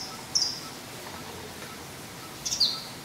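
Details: A purple-banded sunbird visiting a 6th-floor apartment balcony garden in central Dar es Salaam, Tanzania, gives two thin, very high, sharply falling chips about two seconds apart over a soft outdoor hiss.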